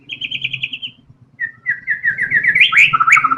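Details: White-rumped shama in full, constant song, a rapid 'tembakan' burst used to lure other songbirds into singing: a fast trill, a pause, then tumbling slurred whistles rising in pitch, over a low steady hum.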